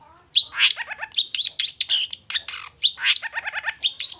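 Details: Long-tailed shrike in full morning song, pouring out a dense, varied string of harsh scratchy bursts mixed with rapid, lower stuttering notes in quick succession. Scarcely any pauses and no other clear sounds.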